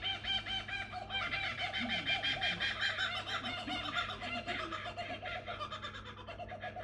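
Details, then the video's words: Two kookaburras calling at night: a dense, cackling chorus of rapid, rising and falling harmonic notes. The notes repeat quickly and overlap for the whole stretch, then fade slightly near the end. A steady low hum runs underneath. "Two Kookaburras Making A Noise At Night"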